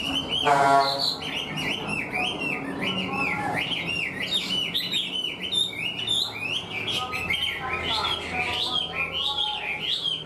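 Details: Caged Chinese hwamei, wild-caught yet singing a structured song like a tame bird. A brief voice at the start gives way to a long run of repeated, bouncing whistled phrases, each sweeping up and down, delivered steadily and loudly.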